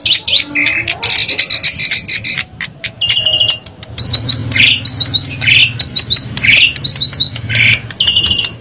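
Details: Energetic song of an Asian pied starling, played as a lure for other birds: buzzy held notes, then repeated triple whistles alternating with harsh rising squawks about every second, over a steady low hum.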